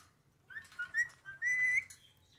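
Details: Ring-necked parakeet talking: a short, quiet stretch of whistled, word-like phrases that slide up and down, ending in a longer, steadier rising tone over a low background hum.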